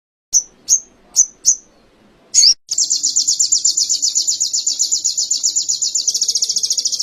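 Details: Sogon-style canary training material: four separate sharp high chirps and a twisting note, then a long, rapid, buzzy high trill of evenly repeated notes that quickens toward the end.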